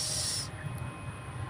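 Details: Owl, a large-voiced bird caught on a hillside trapping trip on a day of light wind, gives a harsh, hissing screech of about half a second, then breaks off, leaving a low rumble of wind and handling noise.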